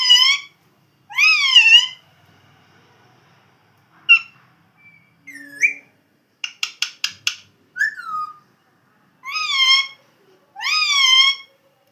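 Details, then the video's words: Pet parrot indoors making whistled, speech-like phrases with bending rising and falling tones, short chirps and a quick burst of clicking notes, bouts spaced by pauses of a second or more. "Super Cute Funny Parrot Original Sound"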